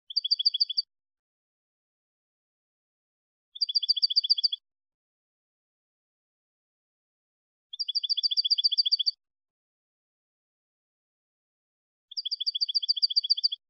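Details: European goldfinch song in the clean malagueño style, recorded for training goldfinches: four quick trilled phrases of bright, tinkling notes, each about a second long, repeated roughly every four seconds, with silence between.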